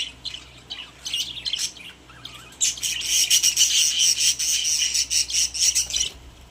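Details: Budgerigars kept as pets in a cage start with scattered chirps, then break into a loud, continuous burst of rapid twittering and squeaky warbling.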